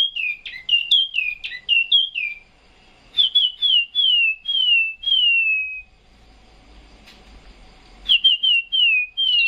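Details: A caged Chinese hwamei sings bright, clear whistled phrases of quick downslurred notes, repeated in bursts with short silent gaps; no other sounds stand out.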